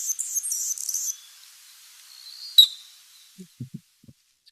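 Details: A male Anna's hummingbird in Sonoma County courts a female: a second of thin, scratchy, buzzing song, then a sharp, high explosive pop from his tail feathers as he dives at her, followed by a few soft low thumps.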